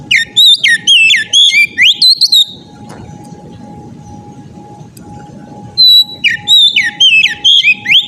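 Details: Oriental magpie-robin in loud, persistent ngeplong song: a rapid string of rich whistled notes swooping up and down, a pause of about three seconds, then another whistled run, with low rumbling noise and a constant hum beneath.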